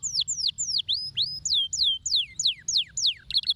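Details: Canary singing in an Indonesian masteran recording: about a dozen loud downslurred whistles, some dipping and rising, spaced roughly a third of a second apart, ending in a short buzzy rattle.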